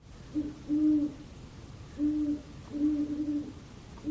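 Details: A Great Horned Owl, a nocturnal owl native to America that eats mice and rabbits and is described as sounding very eerie, gives deep, soft, muffled hoots in an uneven run of short and drawn-out notes over a faint hum.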